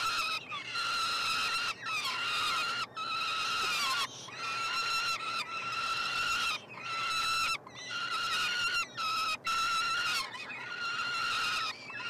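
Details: Three peregrine falcon nestlings begging while fed at a nestbox on the University of Montreal, Canada, 21 June 2022; long, harsh, steady screams repeated in overlapping bursts, roughly one every second, with brief gaps between.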